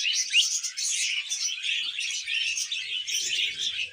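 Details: Several pet budgies chirp in a busy, high-pitched twittering mix of squeaks, trills and short whistles, steady throughout, with a faint rustle near the end.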